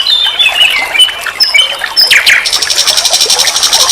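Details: Master recording of nightingale song for training songbirds: thin wavering whistles and short notes, then a sharp downward sweep leading into a steady, fast, high-pitched buzzy trill.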